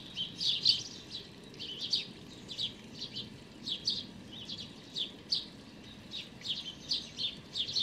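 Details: A small, hungry sparrow fledgling with whitish feathers begs on 16 May 2019; high, scratchy chirps come in short clusters roughly every half second to second, steady and insistent, with soft background hum.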